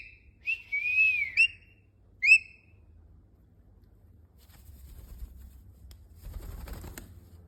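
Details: Domestic cockatiel practising a taught whistle: one long wavering whistled note, then two short bright chirps, followed by silence and later a burst of rustling and handling noise.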